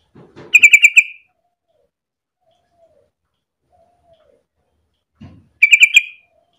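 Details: Sooty-headed bulbul in full, steady song, used as a lure to set other bulbuls singing: two short bubbly phrases of rapid, rich chirping notes about five seconds apart, otherwise quiet background.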